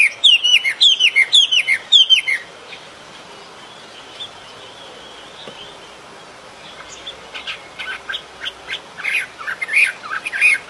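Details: Bird singing in nature: a quick run of about eight bright, downslurred chirps over two seconds, a quiet pause, then scattered sharp high chips and short twitters, with steady background hiss.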